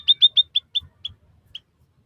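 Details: White-headed munia, recorded for training captive birds: about seven short, high chirped notes in a rapid series that fade and slow toward the end.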